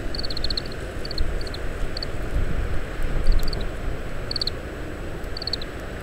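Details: Quiet ground calls of an Oriental greenfinch picking seeds from summer camellia fruit, a rapid string of high notes then scattered pairs and triplets, through strong wind noise, parabolic mic recording.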